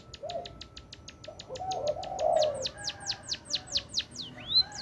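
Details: Munia in lively song: evenly spaced high clicks quicken and stretch into downward-curving whistles, ending in one rising whistled note, with soft low cooing underneath.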